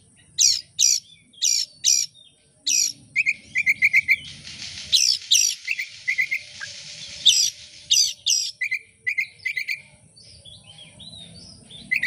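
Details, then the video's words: Oriental magpie-robin song, a lure to set birds singing: loud sharp chip notes repeated at short intervals mixed with lower double whistles and softer twittering, over a steady high hiss and low rumble. "Kacer gacor buka ekor pancingan kacer gacor langsung on"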